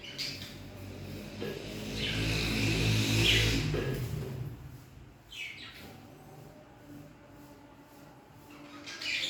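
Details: Budgerigars (Melopsittacus undulatus) in a breeding colony setup chatter with scratchy, warbling chirps over a steady low background hum.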